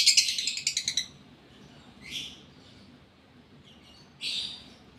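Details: Gara lovebird in breeding condition opening with a fast run of about eight sharp, high stuttering notes, then two separate buzzy, scratchy chirp bursts after pauses.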